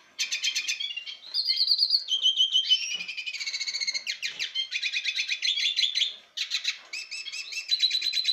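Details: A male Lesser goldfinch in breeding condition, courting a female, sings a long, rambling medley of high twitters, buzzy trills and sweet slurred whistles, delivered continuously without pause.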